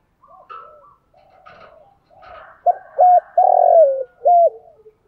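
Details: Decoy spotted dove cooing to lure wild doves: soft faint notes, then a loud burst of deep, flat-topped coos with one long rolling coo that slides downward, ending in a short coo.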